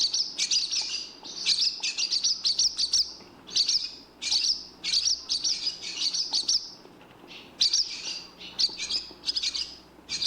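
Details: Barn Swallow (Hirundo rustica) calls: rapid, high twittering chirps in bursts of two to six notes, with brief gaps between bursts and a quiet background.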